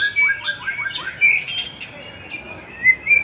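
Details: Male white-rumped shama singing in 'klewer' style: a quick series of five rising slurred notes, then warbling high phrases and a couple of sharp whistles against a soft background hiss.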